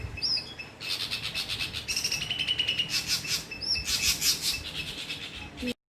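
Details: Dull-blue flycatcher (Eumyias sordidus), known locally as Karolapenda, singing: a dense run of high, thin whistles and quick chirpy bursts with a brief sustained whistled note partway through, ending abruptly.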